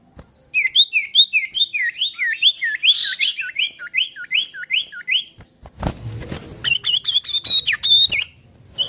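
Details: Common iora, local name sirtu or cipoh, in chattering song: a rapid regular series of sharp down-slurred whistles, roughly two per second, then a noisy burst and higher even whistled notes repeated in a row.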